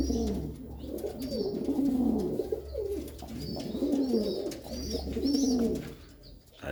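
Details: Reunited pair of pigeons, a female rejoined with her former mate after a long time alone; throaty, bubbling coos with downward-sweeping notes repeat irregularly, over a low hum and faint high tones.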